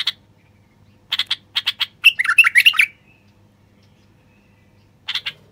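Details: Male common bulbul song meant to prompt silent wild bulbuls and females to sing, mate and nest: a run of quick sharp chips builds into a rollicking warbled phrase, then more chips after a pause.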